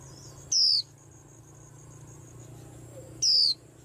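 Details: White-eye producing two high, thin, downward-sliding notes about three seconds apart, with a steady low hum in the background.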